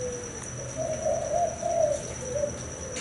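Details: Spotted dove male, a proven breeder of the thai hau 4 style, gives a short phrase of three or four rounded coos after a faint gliding note, over a constant high hum.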